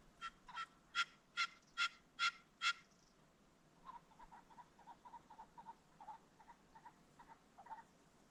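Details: Ring-necked pheasant at sunset along a creek bottom: seven strong, evenly spaced raspy pulses in quick succession, then a longer series of lower, softer clipped notes repeated about twice a second.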